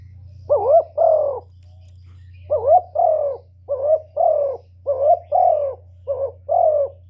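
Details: Spotted dove used as a lure, cooing in quick throaty pairs: about eight warbling, wavering coos grouped in twos and threes, over a constant low hum.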